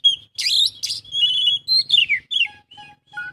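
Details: Oriental magpie-robin in 'isian full' song: buzzy bursts, then long clear whistles and a descending slurred note. A steady low tone repeats behind it near the end.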